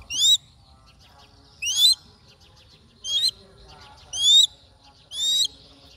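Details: Crested goshawk on the hunt: five piercing, rising squealed notes, each brief and bright, arriving about every second, with faint twittering and quiet low rumble in the gaps.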